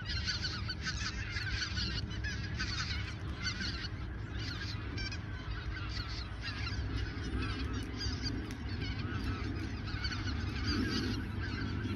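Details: Autumn 2022 in the Ochsenmoor nature reserve, a few days before the geese migrate south: a large flock honks continuously in a thick, unbroken chorus over low background noise.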